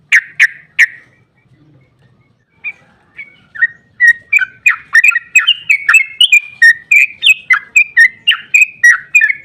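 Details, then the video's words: Sooty-headed bulbul in lively 'ropel panjang' song meant to stir other bulbuls into singing: three loud separate notes, a short lull with soft notes, then an accelerating, continuous run of rapid liquid whistles. "Trucukan GACOR ROPEL PANJANG EMOSI buat pancingan trucuk agar cepat bunyi JADIKAN burung NYAUT giras"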